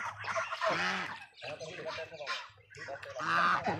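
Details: Farm geese giving harsh, nasal honks, three drawn-out bursts with short gaps, the calls overlapping and wavering in pitch over a low background hum.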